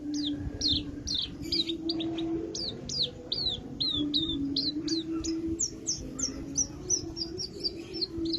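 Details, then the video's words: Lively Javan bush lark song of quick high chirps and short slurred whistles, repeated almost three times per second in an uneven flowing stream, with a low droning hum underneath. "Kicauan terbaik branjangan gacor isian branjangan Javanica gacor"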